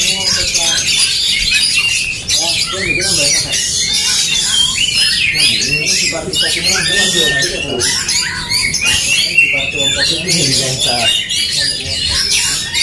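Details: Oriental magpie-robins (kacer) in an aggressive fighting duel: dense, overlapping high squawks, chatters and sharp whistled phrases pour out without pause, with a human voice murmuring faintly underneath.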